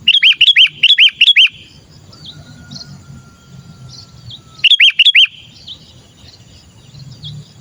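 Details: Sooty-headed bulbul calling, used as a lure recording to attract other bulbuls. Quick bursts of five or six hooked, bright chirps, one burst at the start and another about four seconds later, over a soft low hum and faint distant chirps.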